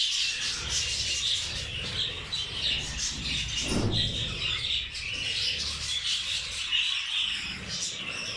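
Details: Pet budgerigars kept with zebra finches chatter during a rice meal: a dense, continuous stream of high, scratchy chirps and squawks with no pauses, plus soft low rustling and one brief swooping sound near the middle.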